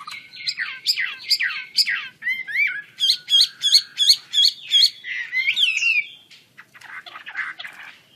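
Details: Lively Chinese hwamei of the Wambi Kembang kind, wings spread, pouring out song: repeated rising whistled notes in a steady pulse, with looping slurs, tapering into softer warbles.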